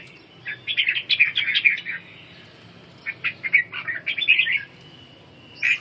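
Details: Red-whiskered bulbul (chào mào) practising ché singing while regaining strength: two clusters of fast, chattering whistled notes about two seconds apart, then a closing sharp phrase, with steady low hum behind.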